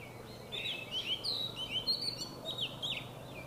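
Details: Oriental magpie-robin, a small black-and-white passerine, giving a varied song of sweet whistled, sliding phrases with short chirps in between, over a steady low background hum.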